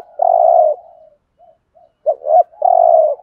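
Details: Spotted dove cooing in 'thúc gù' style with a 'giọng Thổ' voice, a recording used to lure birds for trapping: a long mellow low coo, a brief pause, then a quick double note leading into another sustained coo.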